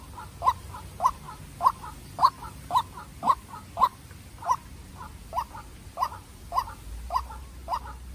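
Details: Young decoy White-breasted waterhen from a breeding farm challenging a wild bird, about fourteen croaking notes over eight seconds, sharper early then slightly softer, with faint double notes between and low background hum.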